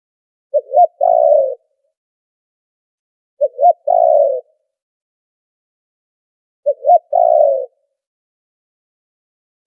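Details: Noise-filtered trapping lure of a spotted dove: three phrases about three seconds apart, each two quick short hoots followed by a sustained, slightly descending coo, nothing else audible.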